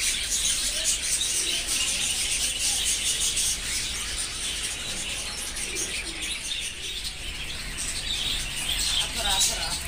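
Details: Many budgerigars at a breeding farm: a dense, unbroken wall of high chirping and twittering chatter from numerous birds at once, steady in loudness for the whole stretch, with a faint low rumble underneath.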